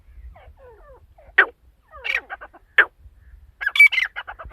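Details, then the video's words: Female partridge giving scattered harsh, broadband call notes, isolated bursts at first, then a quick cluster of squawky notes with a thin whistled tone near the end. "mdi ke Awaz # tetar sound # Teetar Voice"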